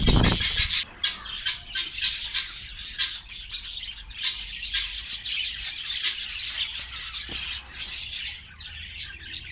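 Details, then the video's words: A crowded Australian parrot colony in Karachi keeps up busy, rapid twittering and chirping, about three to four notes a second. The chatter is irregular and layered, with a loud burst of noise at the start. "Australian Parrots Colony"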